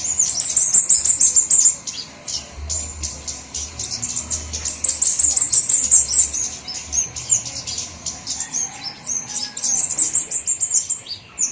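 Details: Flowerpeckers in a lure recording made to attract birds, several kinds mixed: very high, thin ticking chips and sharp trilled runs, fast and uneven, in bursts with short pauses, over a faint low hum.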